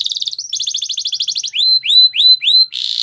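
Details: Canary singing Spanish Timbrado training song, fast doubled trill notes giving way to four loud rising swept whistles and a closing buzzy rattle.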